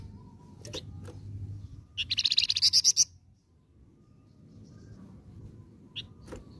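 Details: Flamboyan bird singing a lure song: one sharp high trilled phrase of rapidly repeated buzzy notes lasting about a second, framed by a few lone chips, over a low background hum.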